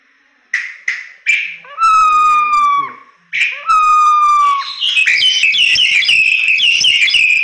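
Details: Tutor recording of a crested myna singing: a few short buzzy clicks, then two drawn-out whistled notes with strong overtones that fall slightly in pitch, followed by a dense run of rapid, high chattering phrases.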